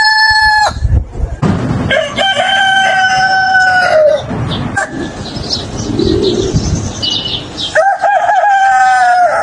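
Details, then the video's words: Rooster crowing on a chicken farm: three long, harmonic crows, each holding a steady tone before a falling end. The second crow runs about two and a half seconds. Clucks and other farm noise fill the gaps between crows. "The Rooster's Crow: The Sound of a New Beginning"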